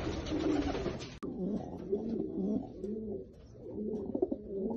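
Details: Lotan tumbler pigeons, apparently indoors, give low, throaty cooing phrases that roll and repeat in wavering bursts. A sharp click breaks in after about one second.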